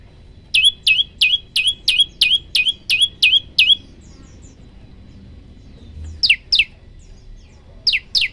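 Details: Olive-backed tailorbird (prenjak lumut) training song in 'tembakan' style: nine quick, piercing downflicked whistles in a row, a pause of about two seconds, then a few scattered sharp descending notes.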